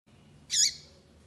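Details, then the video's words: Short, bright, scratchy high call of a female double-collared seedeater prompting the male to sing, a single note with a lower curved tone beneath, then quiet. "FÊMEA PAPA CAPIM PIANDO PARA O SEU PAPA CAPIM FICAR LOUCO PRA CANTAR"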